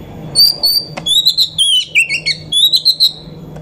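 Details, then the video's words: Caged female Oriental magpie-robin used to provoke males into singing, delivering a busy string of high whistled notes, short slides and clicks over a low steady hum. "KACER EMOSI TINGGI || Pancingan Kacer agar Emosi buat Dongkrak emosi kacer yang kurang sumringah"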